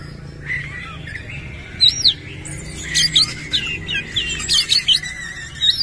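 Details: White-rumped shama singing with its tail open, rough song content; quiet warbling at first, then clipped high whistles and rapid twittering notes in short spaced bursts.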